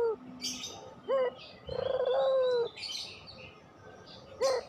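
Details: Barbary dove of the pelung variety, recorded as a training lure for quiet doves, gives brief upslurred notes and one long vibrating coo, amid scattered high twittering from other small birds.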